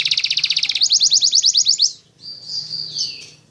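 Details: Atlantic canary, kenari 'gacor', giving a rapid rattling trill that shifts to higher repeated notes, then a brief pause and a drawn-out wavering whistle; low hum beneath.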